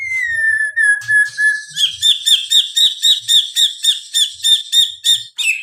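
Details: Sharp cililin song material from a white-rumped shama: a long, clear whistle drifting slightly downward, then a brisk series of ringing, high chipped notes repeated about four times a second.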